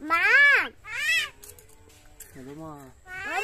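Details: Common myna kept as a talking bird, mimicking speech: three nasal, squeaky voice-like phrases, each bending up then down in pitch, with a quiet gap between the second and third and faint low background rumble.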